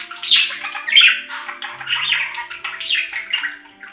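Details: Pet budgies chatter in quick bursts roughly every half second: scratchy, squeaky warbles peaking early, then softer buzzy twittering that fades toward the end.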